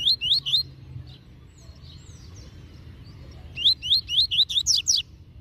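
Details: Tui Tui Zel Zel song of a master double-collared seedeater, meant for tutoring young birds: three upslurred whistles, a long quiet gap, then a run of about seven rising and falling sharp notes.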